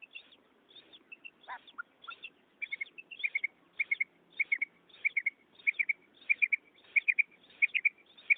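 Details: Lure call of a female common quail, the kirak sounded before hunters' nets to draw in males; clear, sharp chirps grouped in quick triplets, repeating steadily and growing louder across the stretch.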